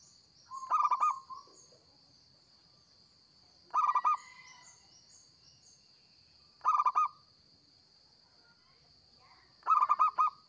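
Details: Four evenly spaced phrases from a lively local zebra dove used for luring, each a fast cluster of five or six hollow coos every three seconds, with constant high hum and faint chirping in the background.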